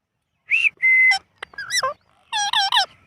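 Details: Indian ringneck parrot giving a short whistle and a flat whistled note, then talking in rapid nasal syllables, saying words such as mitthu and mammi.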